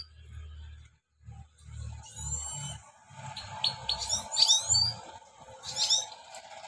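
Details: Trained European goldfinch song used to tutor newly caught wild goldfinches: bright, tinkling twitters and liquid trills high in pitch, delivered in quick bursts, over low rumbling background noise.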